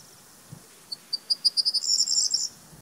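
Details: Corn bunting singing: spaced, sharp, high clicks quicken steadily and merge into a glittering, jingling trill lasting under a second. The surroundings are otherwise quiet.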